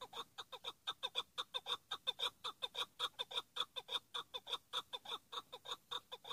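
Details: Chukar partridge, a hıngırmacı decoy for hunting, keeps up a loud, regular series of sharp clucking notes, nearly two per second, without pause throughout.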